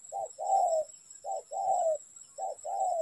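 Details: Spotted dove used in trapping, repeating a short coo followed by a longer coo that slides downward, three times in about three seconds, low and mellow.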